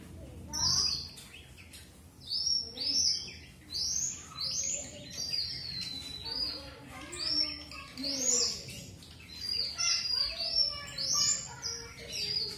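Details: Strawberry finch (red avadavat) singing a lively run of high, clear whistled notes in quick arching slurs, repeated steadily for over ten seconds, with softer lower twitters underneath.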